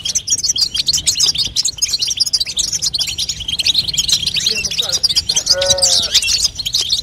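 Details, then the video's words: Female European goldfinch calling to stimulate a young goldfinch to sing: dense, continuous high twittering with rapid chirps and buzzy notes, and a brief lower, tonal whine with stacked overtones near the end. "بتبته لتقويه فرخ الحسون تخلي يغرد غصب عنو"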